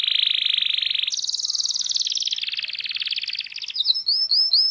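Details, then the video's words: Local canary singing rolling ngerol song for training: a loud sustained low trill jumping to a higher rapid roll that fades gradually, then crisp repeated upswept whistles. "FULL NGEROLL | MASTEAN KENARI LOKAL GACOR | FULL ISIAN | MASTERAN BURUNG KENARI"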